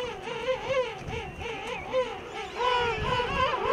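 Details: King penguins in a huge breeding rookery on Salisbury Plain, South Georgia; wavering, trilling trumpet-like calls rise and fall rapidly in pitch, several birds overlapping in a continuous chorus.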